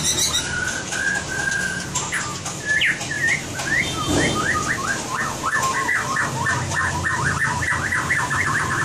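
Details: White-rumped shama competition song used as training material: steady mid-pitched whistles give way to a fast run of repeated, downward-slurred notes chattering on for several seconds.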